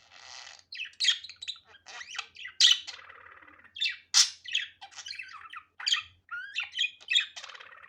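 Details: Continuous budgerigar chatter: scratchy squawks, buzzy rattles and sharp whistled chirps running together, with loud peaks roughly every second or two.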